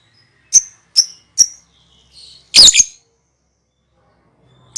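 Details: Lovebird ngekek calling meant to lure other birds: three quick piercing high chirps about half a second apart, a soft warble, then a loud harsh double screech. One more shrill note comes at the very end.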